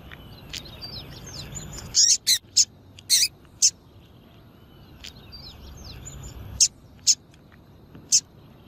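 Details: Female double-collared seedeater calling to excite males. Sharp, short chip notes come singly and in small clusters, with gaps of up to three seconds between groups. Faint twittering from other birds and a steady background hiss run beneath.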